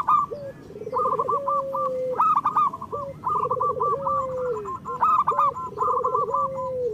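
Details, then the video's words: Chorus of local zebra doves, a recording to get idle birds singing. Jerky high coo series run alongside lower rippling trills that stretch into a long even note falling at the close, repeated three times. "Perkutut lokal gacor Masteran Perkutut Suara Kristal"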